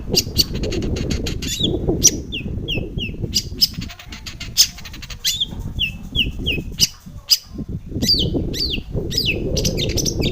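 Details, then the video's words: Long-tailed shrike, recorded as a lure to make other shrikes sing: harsh clicking chatter mixed with repeated short descending whistles and squawky notes, over steady low noise. "SUARA cendet gacor full isian pancingan cendet agar bunyi"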